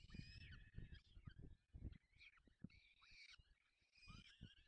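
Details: Peregrine falcon at the nest feeding chicks, Barycz Valley, Poland, May 2020. Drawn-out screechy wails alternate with short slurred notes, over steady low rumbling and knocking sounds.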